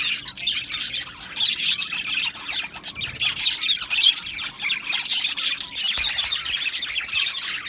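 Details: Budgies in an Australian budgie aviary colony, 12 July 2025, chirping and squawking: irregular bursts of shrill chatter rise and fall, louder clusters alternating with slightly quieter gaps.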